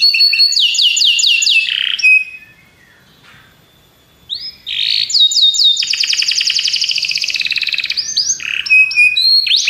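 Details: Belgian canaries sing descending whistled notes, pause for about two seconds, then resume with rising swoops, a long high rolling trill and sharp chip-like phrases.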